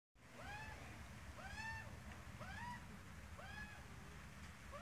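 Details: Australian magpie, an adult with a chick: four nasal, arched calls with rich harmonics, each rising then falling, spaced about a second apart, over a steady low rumble of background noise.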